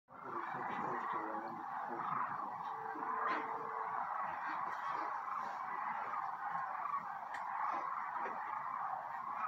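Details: A huge flock of migrating sandhill cranes returning at evening to roost on Platte River sandbars, central Nebraska, on a cold snowy night in 2022, calls at once: rolling, trumpeting rattles overlapping into a dense, unbroken chorus.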